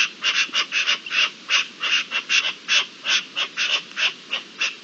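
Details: Rasping partridge calls recorded during the mating season on 27 April 2021, a quick, somewhat irregular series of harsh, chuckling notes against a calm background.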